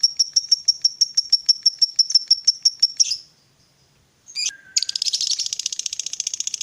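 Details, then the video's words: Fighter lovebird: a fast pulsed high chatter for three seconds, a short silence, a sharp squeak, then a dense buzzy rasping chatter of rapid notes. "Pancingan Suara Lovebird Gacor Fighter"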